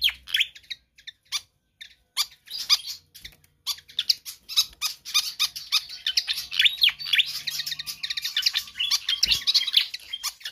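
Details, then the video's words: Pied fantail singing energetically and persistently, kept as a tutor or lure track for other birds; dense chattering high chirps and squeaky notes run almost without pause, with a faint low hum beneath. "Sikatan Kipas GACOR Ngotot"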